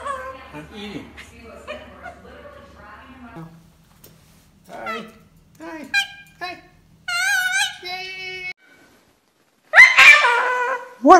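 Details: Indoor pet cockatoo, male, in a lively vocal stretch: chattering speech-like syllables, a wavering warbled phrase, and a loud harsh screech at the end.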